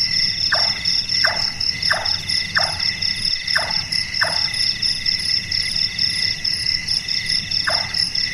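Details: Large-tailed nightjar, burung malas, calling at night: six evenly spaced knocking notes roughly 0.7 seconds apart, a long silence, then a seventh, all over a shrill background of insects.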